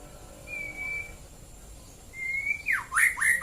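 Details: A white-rumped shama, or murai batu, in the morning in Central Java gives quieter long, level whistles, then closes with quick downward and upward sweeping notes.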